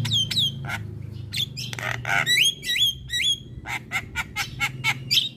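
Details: Singing Javan myna, used to coax stalled or stressed birds into song; squeaky notes and harsh rasps lead into rising whistled slurs, then a steady series of short scratchy chips.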